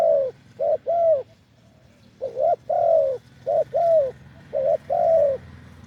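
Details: Wild spotted dove with a deep voice, recorded during decoy luring: low, mellow coos in phrases of a short note followed by a longer drawn-out one, repeated three times with brief pauses and a faint rural hum.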